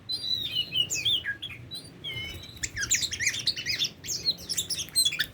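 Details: Tame Oriental magpie-robin singing clear slurred whistles that rise and fall, then breaking into a fast, jumbled twittering medley of chirps.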